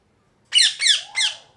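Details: A loud parrot calls three times in a row, each squawk raspy and buzzy with a falling slide, the final note trailing off into a lower fading tail.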